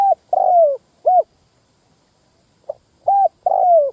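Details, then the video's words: Spotted dove lure call meant to draw in males and females: mellow low coos, a drawn-out falling coo followed by a short arched one, two phrases separated by a silent gap, clean quiet background. "Tiếng mồi đất rút bổi cu bổi mái"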